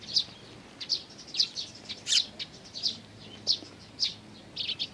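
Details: Sparrow chicks with their parents, recorded 11 May 2019: short high chirps in irregular bursts, about a dozen across the stretch, some doubled, over a quiet background.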